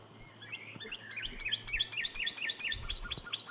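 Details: Canary singing a quick run of sharp chirped notes between mid and high pitch, repeated rapidly for about three seconds with a faint low hum beneath.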